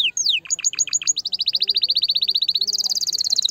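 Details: Canary song meant to stimulate a female to breed: rapid series of bright whistled notes, first descending sweeps, then a fast trill of repeated syllables, ending in a high buzzy rattle.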